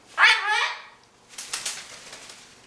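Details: Pet Goffin's cockatoo, about five months old, chattering while playing in its set-up: a loud, harsh, wavering harmonic squawk lasting half a second, then a soft series of quick clicks and taps.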